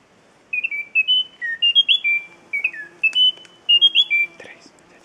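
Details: Endemic Munchique Wood-Wren (Henicorhina negreti) at La Mesenia, Western Andes, Colombia, July 2013, giving two quick runs of clear, high whistled notes, some level and some sliding, each about two seconds long, with a faint low hum behind.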